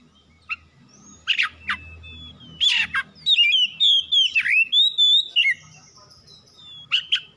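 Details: Oriental magpie-robin provoking song to draw other birds into answering: scattered harsh chips, then a burst of rich rising and falling whistles, with a faint low hum underneath.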